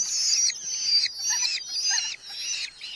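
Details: Red-footed falcons at a nest box in a large breeding colony in Hungary, July 2025, with growing chicks fed mostly beetles by their parents; harsh, rasping high-pitched calls run almost without pause in long overlapping bursts, about two per second.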